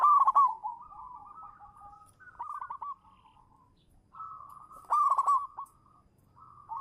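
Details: Zebra dove (perkutut), a local champion used as a lure, delivers a loud rolled coo at the start, then softer purring coo phrases and a second strong trilled burst near five seconds.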